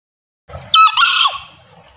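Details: Male green junglefowl crowing (berkokok), a call used to attract wild junglefowl when hunting: one harsh, shrill two-part squeal that ends in a falling slur, after a brief low rustle.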